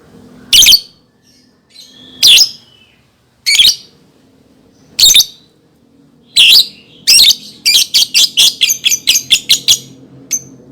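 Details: Lovebird, a recording offered as a lure for training young birds: sharp, shrill chirps spaced about a second apart, then a quick run of rapid ticking chirps near the end, with a faint low hum underneath.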